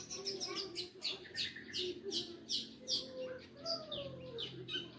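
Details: Fast, varied chirping and twittering from a Long-tailed shrike, rapid high notes mixed with lower slurred whistles and quick scratchy phrases.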